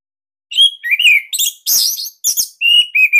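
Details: Orange-headed thrush of the Bali type, a captive bird kept as a master singer for training other thrushes, gives loud, tight whistled phrases that rise and fall, broken by brief buzzy bursts and short pauses.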